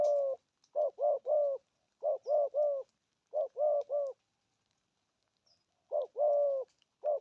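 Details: Spotted dove giving the 'gù thúc' urging coo: low, throaty hoots in bursts of two or three, separated by short silences and repeated about every second, with a longer drawn-out coo near the end.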